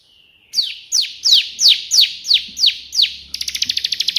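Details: Bar-winged prinia song opening with eight loud, ringing notes that swoop downward, about three per second, then breaking into a fast, even trill of quick chirps.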